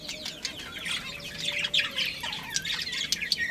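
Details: Breeding pair of budgerigars chirping: a dense, unbroken stream of rapid high twitters, chirps and short whistled notes overlapping one another, with a faint low hum underneath.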